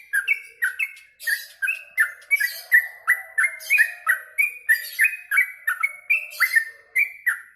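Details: Post-mealworm song of a yellow-vented bulbul: fast, liquid burbling notes at a brisk steady pace, rising and falling in short stepped phrases, a lively chattering run lasting several seconds.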